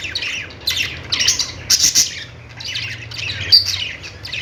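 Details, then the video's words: Budgies squawk and chirp in harsh, clipped bursts, with a busy cluster in the middle and a sharp squeak late on. "Budgies singing |budgies sounds"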